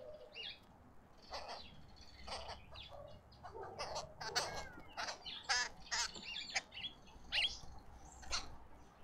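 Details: Arrow-marked babblers in a suburban garden in Pretoria, South Africa, chatter in harsh, rasping bursts, several birds overlapping in an uneven run of loud squawks about every half second.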